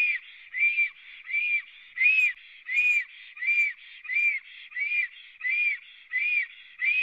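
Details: Black storks at a nest in Latvia, three birds present, recorded by a live camera on 24 April 2017 at 11:55; evenly spaced whistled notes rise and fall, around nine in seven seconds, separated by quieter buzzy sounds.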